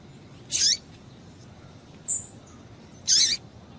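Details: A female double-collared seedeater calls to excite a male; two bright, buzzy high chirps about two and a half seconds apart, with a thin faint whistle between them, over steady hiss.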